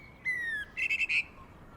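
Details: A common blackbird, introduced to Australia, sings in the Melbourne city dawn chorus: one fluty whistle that slides gently downward, then four quick, scratchy twittering notes, over a faint hiss.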